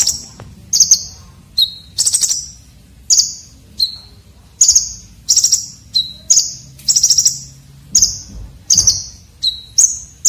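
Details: A red-breasted konin singing rough, sharp filler song for tutoring contest birds. Bright high trills and short lower whistles alternate briskly and keep going without a break for ten seconds.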